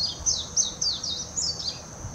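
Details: Hashimoto, Wakayama Prefecture, Japan, 26 June 2021: a warbling white-eye sings a quick string of thin, high, down-slurred whistles, about five notes in two seconds, taped on a Nikon Coolpix P900 with a quiet background.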